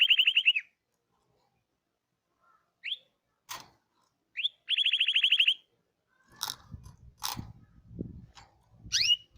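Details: Canary of the Hipi variety producing bursts of fast high trills separated by silence and single rising chirps, with some clicking and rustling in the second half.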